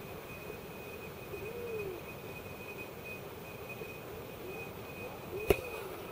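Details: A group of common eiders in Reykjavík harbour, Iceland, on 15 February 2014 gives low, soft cooing calls that rise and fall, several in a few seconds. A steady high mechanical whine and one sharp knock are heard.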